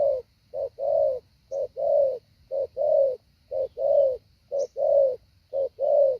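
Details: Spotted dove decoy bird practising the hạ bổi calling style: deep, hollow coos in short-then-long pairs, each pair about a second apart, steady and well spaced, with a faint steady high hum behind.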